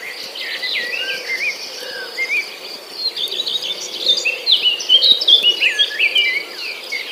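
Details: Nestling birds left alone in the nest while their mother is away looking for food: a busy chorus of thin, high, squeaky chirps and short rising whistles, growing louder and denser toward the end over a faint background hiss.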